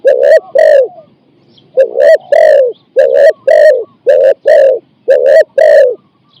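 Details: Captive spotted dove used to lure wild doves, giving coo phrases of 4–5 notes. Pairs of hollow, resonant coos repeat after an opening pause, with an even, steady delivery.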